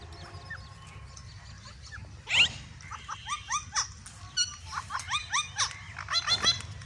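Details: Green and white ringneck parrots calling together: a busy mix of short rising screechy notes, many overlapping and quickening toward the end, with one louder harsh burst near the start and a low steady hum beneath.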